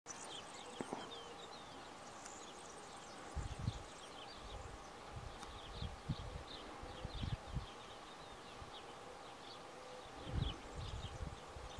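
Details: European bee-eaters by the Tajo river at Aranjuez, Madrid, Spain, in May 2023, recorded on a camera during a riverside walk: many faint, short rolling calls overlap continuously, with low wind rumble and occasional soft thumps.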